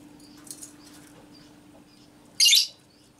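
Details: Female lovebird ngekek used to set off other lovebirds. A faint scratchy twitter leads into one sudden loud, shrill, rasping burst lasting about a quarter second, with a low hum underneath.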